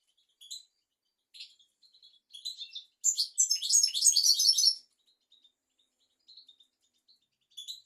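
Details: European goldfinch song from a tutor recording for teaching young goldfinches and canaries: scattered high chirps, then a dense, fast liquid twittering burst of almost two seconds, then sparse single notes again.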